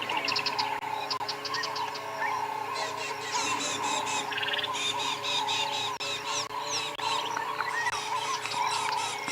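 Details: At sunrise in the African bush on 7 January 2022, a Woodland Kingfisher's sharp, repeated trilling calls pierce through and dominate a dense dawn chorus of many other birds and a steady insect or frog drone.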